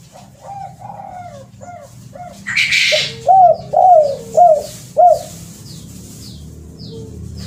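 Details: Spotted dove call for luring: soft coos, a harsh noisy burst, then four loud mellow arching coos in quick series, ending quietly, with thin high descending chirps repeating in the background.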